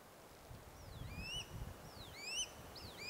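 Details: Swallow-tailed kites in wetland forest at Jonathan Dickinson State Park, Florida, on April 7, one perched and two circling over treetops: thin, high whistled notes, rising and falling slurs from several birds over low rustling background noise.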